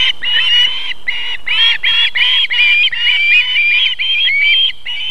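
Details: Ospreys at their South Estonian nest while the female feeds the young, 31 July 2021: an unbroken rapid string of loud, clear whistled calls with rich overtones, each note briefly rising or bending.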